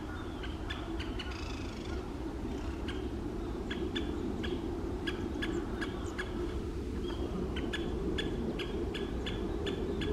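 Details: Great spotted woodpeckers in Asahikawa, Hokkaido, in April 2023 during the breeding season, a male chasing a female, give sharp, short 'kik' notes in loose series, sometimes quickening, over a steady low rumble of wind or distant noise.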